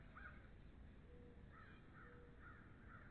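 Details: A string of brief, regularly spaced chattering notes from a pair of bald eagles at NCTC, recorded 13 February 2013, set against a constant low-frequency hum.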